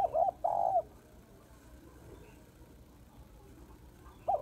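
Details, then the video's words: Female spotted dove calling to stimulate males: two loud low mellow coos open the recording, a short note then a longer one, with a third coo returning near the end over quiet background hiss. "Cu gáy mái kích trống/ tiếng cu gáy mái kích trống hay"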